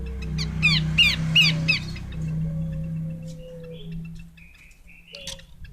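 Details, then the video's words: Female Horsfield's babbler giving four or five quick harsh, raspy notes, then falling quiet. A loud low drone and a slow, descending low whistle continue afterwards. "Burung Pelanduk Semak Betina"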